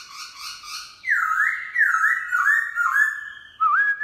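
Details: Morning singing of a black-throated laughingthrush with a wild-style voice: a soft warble, then four loud slurred whistles stepping down in pitch and a final rising note.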